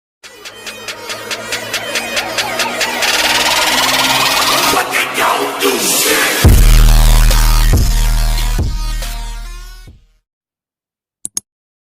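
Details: Loud electronic music with a pounding beat and heavy bass builds and then cuts off into silence, with two short clicks at the end and no animal sounds.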